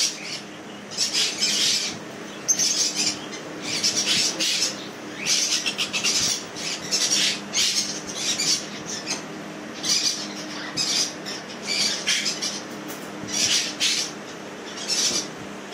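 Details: Hand-tamed sun conures give harsh, grating squawks in quick bursts, over and over.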